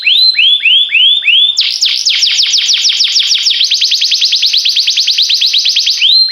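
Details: Canary delivering rising whistled slurs, then a long rapid series of falling notes that speeds into a steady trill, closing with another rising whistle.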